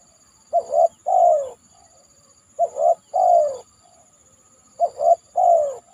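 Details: Spotted dove after a heavy shower, on a banana trunk, delivering three evenly spaced mellow phrases, each two clipped coos and a long downward-sliding coo, with a soft high steady hiss behind.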